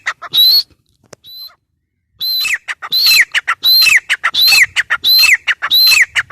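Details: Grey francolin (teetar) calling: one loud shrill phrase, a brief faint note, a pause of about a second, then a steady run of harsh, high whistled phrases with falling endings, repeated about every 0.6 seconds.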